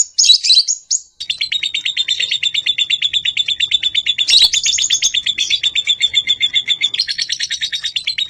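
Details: Lovebird heard in the morning, recorded as a lure and master song: a brief shrill chirp, then a long, steady, rapid pulsing trill repeating many times a second.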